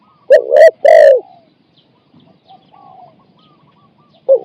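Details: Decoy spotted dove cooing to lure wild birds: three deep, hollow coos in quick succession, then near silence with faint distant coos before another coo at the end.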